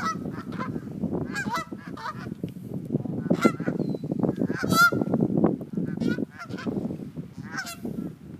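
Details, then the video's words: Geese honking at a person on Sand Island: scattered harsh, nasal honks break through a loud, continuous low roar of wind or waves that dominates the recording. "Geese honking at me on sand island."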